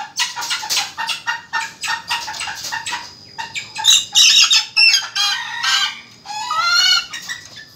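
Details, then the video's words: Chick with black plumbage giving a loud, lively laughing call: rapid bursts of harsh, buzzy notes, about three per second, turning into higher, wavering chattering cries in the second half. "anak ayam ketawa gacor"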